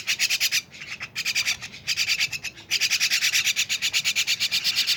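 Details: Loud raspy chatter from lively mynas: fast pulsing buzzy notes in long runs with brief breaks, steady and harsh throughout.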